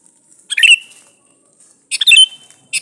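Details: Calling male sooty-headed bulbul, summoning a female and played as a lure for other bulbuls; two bright, bubbly chattering phrases about a second and a half apart, each closing on a thin drawn-out whistle.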